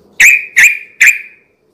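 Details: Yellow-vented bulbul (trucukan) sound for luring untamed birds at night: three harsh, clipped notes, each trailing into a short level whistle, evenly spaced about every half second.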